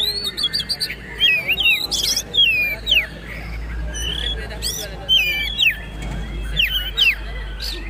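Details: Oriental magpie-robin of the poci type singing in trotol style, a master recording for caged birds to copy: loud whistled notes sweeping up and down, sharp chips and rapid chatters in bursts, over a low steady hum.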